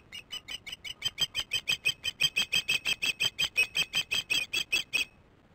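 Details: Osprey chicks at a nest, recorded on 8 June 2015 at 18:44 by a nest camera while working on the nest: a steady series of about twenty sharp, high, piping chirps, close to three per second, becoming louder midway.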